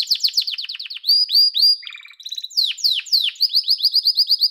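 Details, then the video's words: Loud yellow canary song made of quick repeated falling chirps, a few slurred whistles, a short lower buzzy trill, then evenly spaced high curved notes repeated several times a second. "Muhteşem Kanarya Sesi: Sarı Kanarya'nın Efsanevi Ötüşü"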